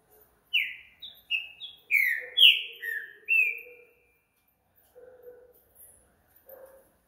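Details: Night singing by a green-winged saltator: a fast run of about seven clear whistles, mostly slurring downward, followed by quieter low murmuring sounds with short pauses.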